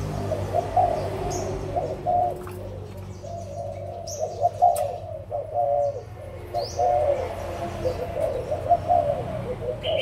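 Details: Adult spotted doves from Malaysia and Thailand, recorded 16 March 2022: a dense, continuous chorus of soft low coos, with scattered quick high chirps from other birds and a few clicks.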